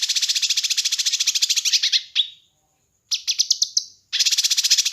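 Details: Kinoi bird song, a recording used to train and lure birds: dense, buzzy, high rapid trills pulsing about ten times a second, broken by a short falling chip, a pause, then a choppy burst and a renewed trill.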